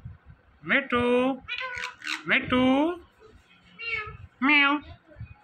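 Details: Indian ringneck parakeet speaking "Mitthu Mitthu", with several harsh, voice-like harmonic syllables in quick bursts, separated by short pauses.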